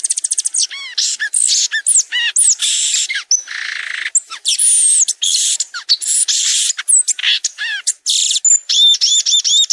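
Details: Violaceous euphonia in continuous varied song. Rapid high arched notes and scratchy rasps alternate without pause, ending in a short series of repeated bright chirps.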